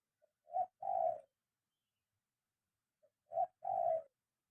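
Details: Zebra dove in training to sing on the ground, giving two cooing phrases about three seconds apart, each a soft short note then a rolling, purring coo, otherwise quiet.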